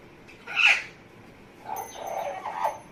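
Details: A pet Amazon parrot makes funny noises: a sharp, raspy squawk, then a pause, then a drawn-out, nasal, muttering series of sounds.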